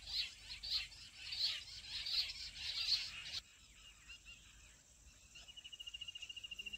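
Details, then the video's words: Jungle bush quail call used to trap wild quail: five loud, high squeaky bursts in the first three seconds, then quiet and a thin, fast repeated trill toward the end. "Jungli bush batair awaz se jungle batair ko pakadna"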